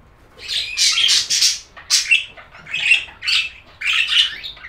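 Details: Budgerigars chatter in rapid, raspy bursts of squawky, buzzy notes with brief pauses between phrases, bright and high-pitched throughout.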